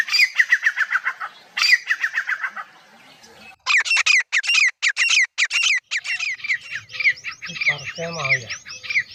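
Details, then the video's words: Partridge (teetar) calling: harsh, squawky notes repeated rapidly in dense bursts with short gaps between them, loud and rasping, running almost without pause to the end. "best Teetar awaaz"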